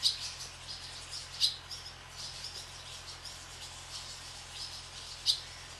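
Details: Barn swallows flying over a farm; sharp, high single chirps stand out three times, roughly a second or more apart, with softer twitters and a low steady hum behind.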